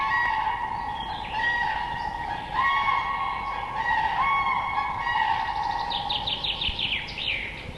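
Common Cranes call in a flock: loud, rolling trumpeting notes, overlapping and repeated almost every second, with a steady chorus beneath.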